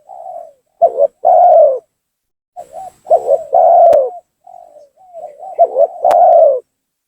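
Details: Spotted dove lure call aimed at provoking a rival to descend. Soft lead-in coos precede two main phrases, each a short broken double note followed by a drawn-out, loud, falling coo, with quiet trailing notes between.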